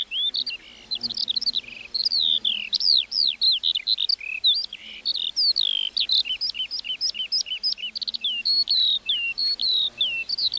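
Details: Lark singing in a meadow: a continuous, high-pitched, rapid warble of chirps, trills and slurred whistles pouring out without pause for over ten seconds against a quiet background.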